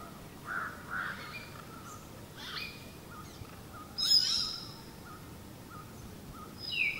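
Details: Southern hill myna in Kandy, Sri Lanka (Hantana and Udawattekele), giving loud, piercing high whistles that may include its two-note piercing call, sharpest near the middle and end, over faint mid-pitched notes from another bird.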